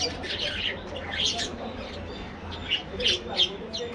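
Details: Colony of budgies in an aviary chattering: scratchy warbles and quick chirps, several sharp high notes in the last two seconds, with a low background hum.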